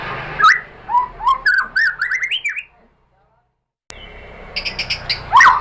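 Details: White-rumped shama lure song for provoking a caged bird to reply: a short phrase of rising whistled notes and clicks, a second of silence, then sharp chattering notes and a loud upward whistle.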